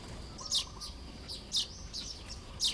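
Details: Baya weavers building nests in the morning, Lop Buri, Thailand, May 2026: a few bright, high, rasping chirps about once a second over quiet background hiss.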